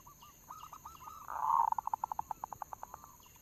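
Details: Local zebra dove lure song: several soft cooing notes, then a loud burred note leading into a long even train of about fifteen rapid pulses that slowly weakens, over a constant high whine.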